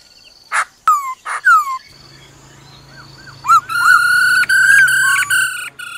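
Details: Female laughingthrush's "ro ro" call to stir up a male opens with harsh bursts and falling whistles. A quiet pause follows, then short curved notes and a long pulsed harmonic phrase.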